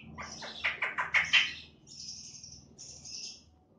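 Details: Black-winged starling recorded on 28 September 2018, giving a quick series of five loud, rasping notes, then two thin high sustained whistles.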